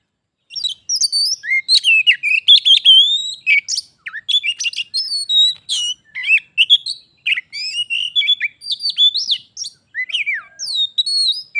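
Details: White-rumped shama, a pet bird facing a wild shama in a singing contest that turns into a fight: a long, dense, continuous run of varied whistles, trills and harsh chattering notes.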